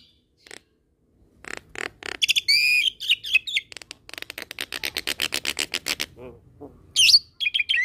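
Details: Black-collared starling song mixed with Nias myna and hybrid song: after near silence, harsh buzzy notes lead into a long run of rapid, evenly repeated clicking notes, then squeaky chirps.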